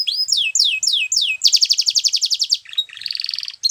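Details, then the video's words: Singing Belgian canary: four descending whistled sweeps, then a steady fast pulsing trill, followed by a softer lower rolling trill and an abrupt high note at the end. "Belgian Canary Singing !! Canary Birds Sounds"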